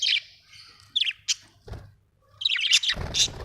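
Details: Budgies chirping in short, sharp squeaks separated by pauses, then a busy cluster of loud high chirps and scratchy notes over rustling noise near the end.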